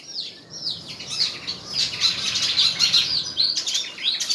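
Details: White-throated fantail in a song contest at Tân Qui, Củ Chi, singing high, thin sweeping whistles that slide down, then dense overlapping chirps and twitters, clearly loud and close.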